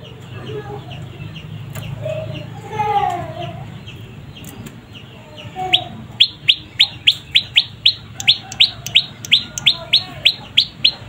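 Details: Young prinia (prenjak lumut) calling persistently: after a muddled start with softer warbling notes, a long even series of sharp, high, downward-flicking chirps repeats roughly twice a second, loud and clear above low steady background hum.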